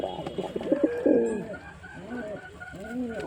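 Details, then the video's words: Male white pigeon giving rolling, wavering coos, a loud burst early then softer arching notes, over a low hum with faint background voices. "Pigeon Sound Effect"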